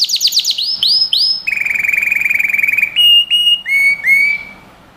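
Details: Singing canary recorded as training material for young birds, running from fast downward-sweeping notes into a steady rolling trill, then several separate pure whistles that each drop slightly in pitch, with clean quiet background.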